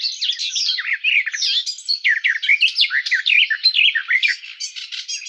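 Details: A garden warbler pours out a long, even-paced song of quick mellow warbling notes, varied slurs and twitters tumbling one after another for over five seconds.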